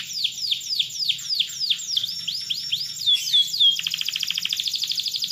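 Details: Atlantic canary singing vigorously: clear descending whistled notes repeated about three times a second, then a few looping slurred notes that break into a fast, buzzy, even trill, over a faint low hum.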